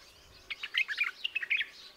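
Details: A white-eared bulbul gives one brief, lively phrase of rapid liquid chirps that rise and fall, over a faint background hiss.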